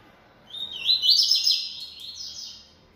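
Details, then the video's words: Yellow-bellied Seedeater kept in captivity, a bold singer, pours out a sustained high phrase. A whistled start climbs into rapid, rolling warbles that fade out after about two seconds. "Coleiro Baiano Atrevido Cantando Muito"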